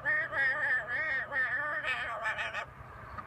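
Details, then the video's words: Macaw singing the tune "For He's a Jolly Good Fellow" on a lazy sunny day while hanging out and relaxing; voice-like, harmonic warbling notes follow a sung melody, ending in a few louder, brighter bursts. "Macaw singing For He's a Jolly Good Fellow"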